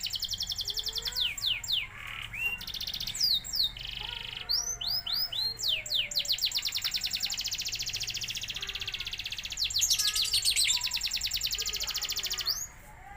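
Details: Canary song of varied rapid trills: bursts of high sweeping notes and buzzy rolls shifting pitch every second or two, sung almost continuously for over twelve seconds before breaking off.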